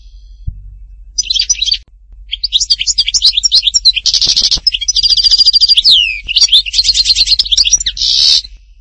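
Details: European goldfinch singing in the Htatba style from Tipaza, Algeria: rapid high twittering phrases, liquid trills, buzzy rattles and a sweeping downslurred whistle, in bursts after a short opening pause.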